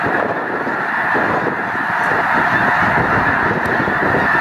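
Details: Huge winter flock of Snow Geese, more than a million birds, at Loess Bluffs National Wildlife Refuge on 21 February 2020: a steady wall of massed honking, thick and continuous, with rapid overlapping calls throughout.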